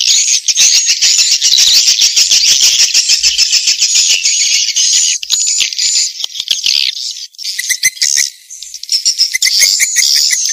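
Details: Swiftlet lure sound in the Vietnamese "janda" style: loud, dense, buzzing twitter, almost continuous, with high thin whistles over it, then looser bursts of chirps toward the end.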